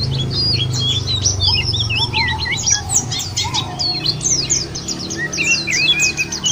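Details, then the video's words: White-eye used as a lure to make birds sing: rapid high twittering and looping whistled notes, a few lower whistles, over steady low background rumble. "puter ini jangankan pleci burung lain aja pada gacor"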